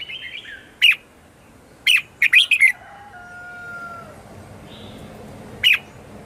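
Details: Morning 'chè' song of a red-whiskered bulbul decoy, used for luring wild bulbuls and training birds to sing: scattered sharp, bright chirps in brief bursts, with a faint low whistled tone drifting underneath mid-clip.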